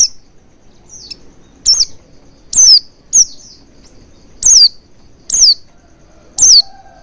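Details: Oriental white-eye lure sound for getting caged birds to start singing: sharp, high, descending tsee calls at uneven intervals of roughly a second, some with a faint softer note before them, background otherwise quiet.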